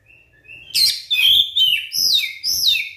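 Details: White-rumped shama song played to provoke other shamas: two soft thin whistles, then loud, clear whistled phrases with downslurred notes and high rising-falling whistles, repeated in four strong pulses.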